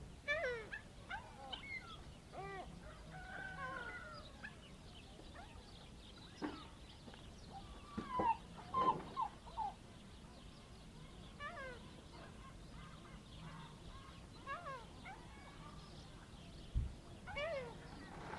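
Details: Gulls in an Ionian Sea fishing harbour as fishermen return, around midday on 21 March 2026, give overlapping harsh, rising-and-falling mewing cries over a low rumble.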